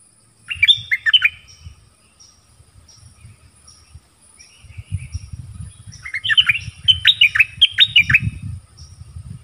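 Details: Dok taeng bird used as a decoy, calling for a mate in the forest in January 2021: short chirped phrases, soft scattered notes, then a loud run of falling chirps over low rustling rumble.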